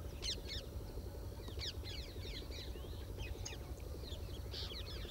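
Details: Group of black-winged stilts wandering through water at Sariska, India, give sharp, yapping notes in irregular bursts over a steady low engine-like hum.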